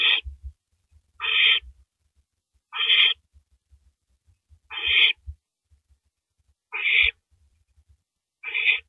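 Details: Owl downing a large rabbit at 3:33 AM, April 9, 2012; six coarse, buzzing screeches spaced about one and a half to two seconds apart, with quiet low clicks and scuffing throughout.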